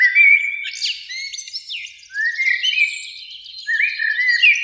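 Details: Two Eurasian blackbirds sing in a springtime beech tree by an evening lake; flowing fluted whistles rise and fall, laced with squeaky high chirps, in near-continuous phrases.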